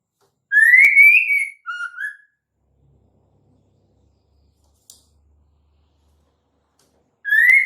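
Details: White-rumped shama female call meant to draw males into song: one whistled phrase with a rising note and a short lower trill, then silence, and a new phrase beginning at the end.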